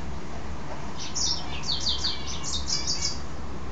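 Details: After a bath, a pet mule goldfinch delivers a brief string of bright, high chirping notes in rapid succession, lasting a couple of seconds.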